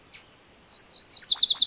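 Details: MacGillivray's warbler song: a faint chip, then a fast run of high, doubled notes that builds in loudness and carries on to the end of the clip.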